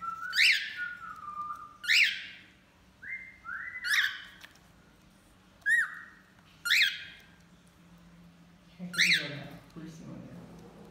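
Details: Pet cockatiels, a male and a female, sing during a bath: a string of loud inverted-V chirps roughly every two seconds with short flat whistles between, ending with faint indoor noise.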